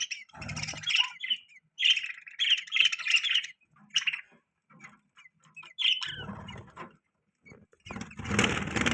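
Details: Pet budgerigars with baby budgies; bursts of buzzy warbling chirps with brief gaps, ending in a loud, harsh chatter.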